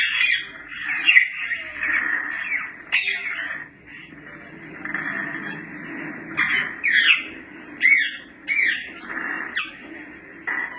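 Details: Grey parrot (yaco) calling in a string of raspy squawks and downward-slurred whistled notes, irregular bursts spread over ten seconds with a steady low hum behind.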